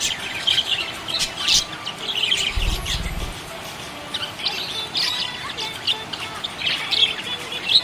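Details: Budgie in a happy mood, chirping in bursts of bright squeaky warbling and sharp clicks, broken by short quieter gaps; a soft low thump sounds midway.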